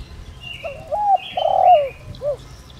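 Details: Spotted dove used as a decoy bird to lure others, voice style called giọng đồng rặc; a single phrase of short cooing notes, then a long loud coo sliding downward, then a brief final coo, with faint higher bird chirps behind.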